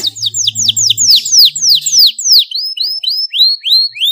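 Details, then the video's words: Canary song intended to make other canaries sing, a string of loud downward-sweeping whistled notes, about five per second, changing to clearer, more spaced upslurred whistles, with a low hum early on. "cuitan kenari untuk merangsang agar gacor dor"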